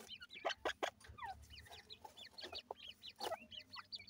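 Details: Teetar chicks, grey francolin young, being fed: soft high cheeping and short downward-sliding peeps, a few louder clicks among them, quiet background.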